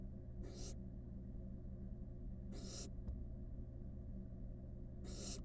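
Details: In a monitored nest box, five wild barn owl chicks snuggle while giving three rough, airy hisses at intervals of about two seconds, somewhat softer, over a steady low rumble and a single faint tick.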